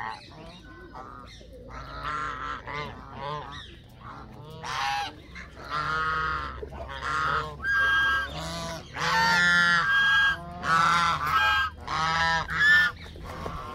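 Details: Canada geese honking repeatedly, the harsh nasal calls building from scattered notes into a dense run of loud honks, roughly forty-five per minute, over a constant low hum.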